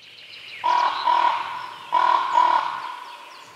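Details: Crow calling in two paired bursts, each a pair of short, nasal, slightly tonal caws, spaced a little over a second apart against a quiet background.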